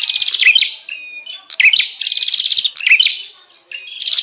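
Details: Bar-winged prinia lure call for drawing in wild prinias: short buzzy rattling bursts alternate with thin whistled notes and sharp chirps, choppy and agitated.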